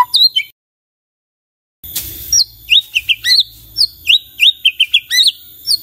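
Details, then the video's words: A brief high note, a pause, then a burst of noise. After it, a white-rumped shama, meant to prompt other shamas into answering song, gives sharp, high upslurred chips and whistles in a lively irregular series. "belum 1 menit SUDAH BANYAK murai lain IKUT NYAUT dan GACOR dengar ini"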